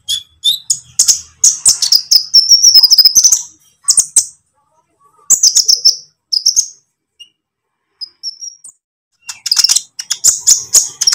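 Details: Training lure of a green lovebird in trotol style: bursts of fast, shrill chattering and rolling trills, broken by short silences and a few isolated thin whistles before the chatter resumes.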